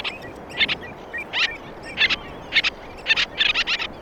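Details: Common tern giving its social, conversational call used in interactions between birds: short, harsh, grating notes in irregular bursts, several per second at times, over a steady background hiss.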